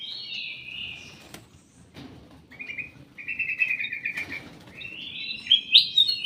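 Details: Ruby-throated bulbul kept in a private aviary, with sustained whistled and trilled notes, sharp wing-flap clicks between them, and a louder chirpy flourish at the end.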